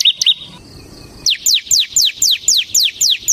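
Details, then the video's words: Ciblek semi, a Bar-winged prinia, singing in gacor 'ngebren' style: a couple of quick high chips, a short gap, then seven loud, piercing downslurred notes repeated evenly about every quarter second. "suara burung CIBLEK SEMI GACOR Ngebren"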